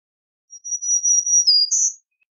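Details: Black-throated green warbler song: a long, thin, high whistled note held steady, then a short slightly lower note and a brief higher buzzy note at the end, lasting about one and a half seconds, in a silent background.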